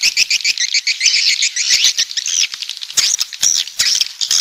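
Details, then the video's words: Coastal swiftlets from the south twitter in a dense, high, buzzy chatter, with many birds calling at once in rapid overlapping trills and scattered sharp clicks. "Suara Walet Pantai"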